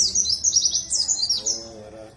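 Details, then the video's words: Warbling white-eye (pleci) of the Dakun type from Bondowoso, East Java, singing as a lure bird; a rapid high twittering warble of slurred chirps for about a second and a half, then fading, with faint low hum beneath. "Pancingan Pleci Dakun Jatim Bondowoso supaya ikut bunyi"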